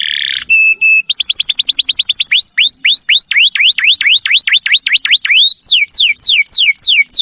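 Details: Canary master song for training birds: a buzzy note and steady repeated tones, then a long run of fast rising whistles that slows into looping downward-curving sweeps, finishing with falling whistles at about four per second.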